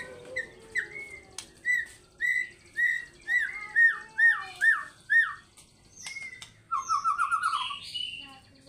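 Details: White-rumped shama fighter-style singing: a steady string of loud slurred whistles, each dropping or rising, repeated about every half second, then a fast buzzy trill and high whistled notes.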